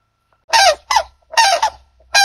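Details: White-naped crane giving loud, harsh trumpeting calls with rich harmonics and a slight downward slur, four notes in two uneven pairs over about two seconds, with a faint low rumble underneath.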